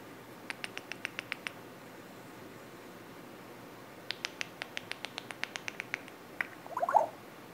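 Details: Pet male African grey parrot indoors mimicking the tile shuffle sounds of the Words with Friends game, something he does often lately: two rapid runs of sharp, evenly spaced clicks, about a dozen each, then a brief warbling tonal flourish.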